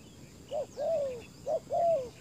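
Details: Spotted dove decoy luring wild doves, uttering two soft coo phrases, each a short note followed by a longer falling one, against a background of insect buzz.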